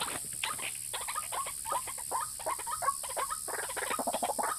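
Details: Calling white-breasted waterhen, played as a lure for males and females. Quick, overlapping croaky notes run almost continuously, rising and falling in loudness, over a faint constant hiss.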